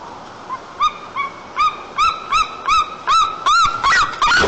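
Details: A male white-tailed eagle returns to his nest at dusk, 6 p.m. on 29 August 2022 in Almetyevsk region, Tatarstan, Russia, calling as he approaches: about ten short, clipped yelps growing louder and quicker, ending in a harsh run.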